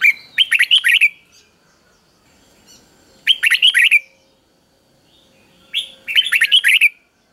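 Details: Caged red-whiskered bulbul giving a simple three-syllable doubled ('beurn') song of the kind used to train young birds. Three bright warbled bursts about a second long repeat every two and a half seconds, with quiet gaps between.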